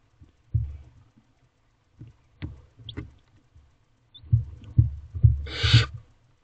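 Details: Barn owlets in a nest box at 2:56 am on 5 May 2023, eating a rabbit their mother brought, give one harsh, broad hissing screech near the end among repeated dull thumps and scuffling.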